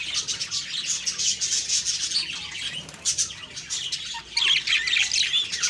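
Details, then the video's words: Several budgerigars chirp in the morning, October 2, 2023, giving a restless stream of quick twitters and squeaky notes, with a brighter burst of warbling near the end. "Beautiful morning birds chirping sounds/Budgie sounds"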